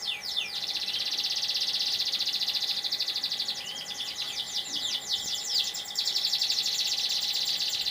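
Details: Canary singing in the morning, a long unbroken high rolling trill of rapid buzzy notes with brief sweeping whistles at the start and a shift to a smoother trill near the end, over steady background hum.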